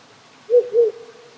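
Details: Wild owl at night in rural Japan, one of three that settled on nearby small hills this spring, calling on a cold night. Two short, low hoots in quick succession over the steady hiss of a stream.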